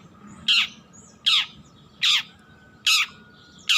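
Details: Juvenile long-tailed shrike learning to sing gives five rasping, grating calls in a steady series, each short and downward-sliding, spaced under a second apart, against a faint hum.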